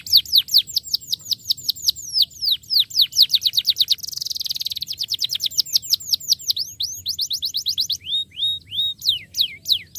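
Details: Starblue canary in full song, played to get stalled canaries singing again; steady runs of high falling chirps, a dense buzzy roll in the middle, then slower rising-and-falling whistled notes.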